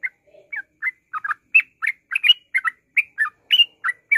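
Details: Yellow-vented bulbul ngropel song, used as a lure to start other birds singing: a short low murmur, then a steady run of sharp, bubbly, downslurred notes delivered in quick succession.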